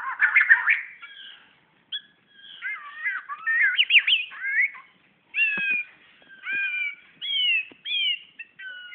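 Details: Magpie-robin in Brunei, 2013, singing toward its mirror reflection: separate bursts of clear, varied whistles, some slurred upward or looping, several phrases repeated with short pauses between them.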